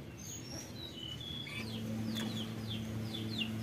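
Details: Kaso-kaso bird song, described as luxurious song bursts: a series of short, high, thin whistled notes, each sliding downward, repeated about four times a second over a steady low electrical hum.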